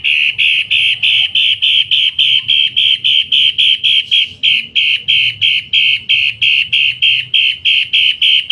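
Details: A kept long-tailed shrike, a mimic valued for its loud voice, giving a loud, harsh, nasal note repeated steadily about three times a second, with no other sounds heard.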